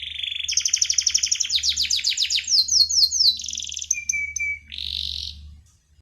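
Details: Canary's rolling song ('ngeroll'): dense rapid trills at high pitch, a flat whistled note, then a harsh buzzy burst fading out, with a soft low hum throughout.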